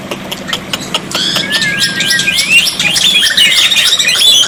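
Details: Tutor recording of black-winged myna song, meant to prompt silent birds to reply. It has sharp clicks and squawks, then drawn-out whistled notes and a busy, rising chatter, with low rumbling in the background.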